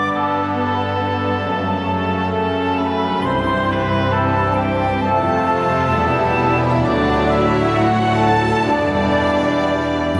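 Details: Slow, sad orchestral music plays throughout, with no animal sounds.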